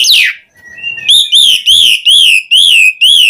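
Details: Asian pied starling song used as a lure to prompt other starlings to sing: an opening downslurred squeal, a short flat whistle, then a series of loud, rising-falling whistled notes repeated about every half second.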